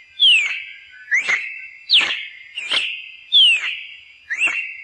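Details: Cardinal song: clear whistled phrases alternating a falling slur and a short rising upslurred note, repeated about every 1.5 seconds, loud and clean with no other sounds.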